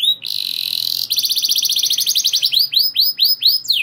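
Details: Canary in full roll, spurring other canaries to sing: a sustained buzzy high tone, then a rapid trill of repeated notes that slows into widely spaced arched whistles.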